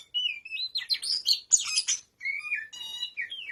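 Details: Oriental magpie-robin (kacer), a tame bird in ngobra singing style, delivers a fast medley of high whistles, harsh chatters and a brief harmonic-rich buzzy note, ending with falling whistled slurs.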